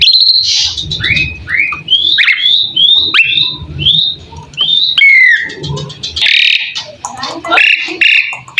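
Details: Asian pied starling (jalak suren) masteran song: a rapid series of short rising whistled notes about twice a second, then a harsh noisy burst and mixed chattering notes.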